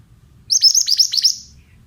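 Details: Oriental magpie-robin, used to coax young birds into replying: five or six hooked, high-pitched chirps fired off rapidly and evenly, quiet background.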